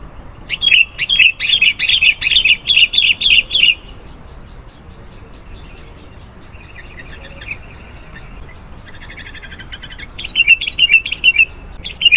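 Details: Sooty-headed bulbul song used as a lure to call in wild bulbuls: bursts of bright, bubbly chattering notes repeated rapidly for about three seconds, a quiet pause, then more chattering phrases near the end.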